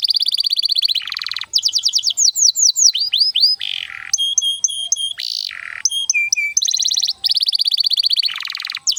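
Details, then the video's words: Canary singing a long, varied lure song to train young canaries and restart silent ones: alternating rattling trills, rapid looping whistles, steady repeated notes and sudden buzzy bursts, with hardly a pause throughout. "Pancingan Kenari gacor panjang untuk masteran kenari paud & terapi kenari macet bunyi agar gacor"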